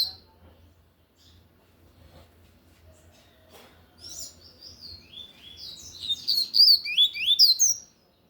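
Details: Lined seedeater of the tui-tui song type singing loudly: a few scattered high chirps, then a rapid, loud burst of sharp slurred whistles that rise and fall, repeated several times a second toward the end.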